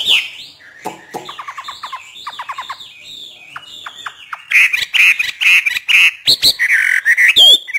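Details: Trained hwamei of northern Vietnam singing freely: quick groups of short clicking notes, then loud repeated harsh chattering calls and a final high squeal.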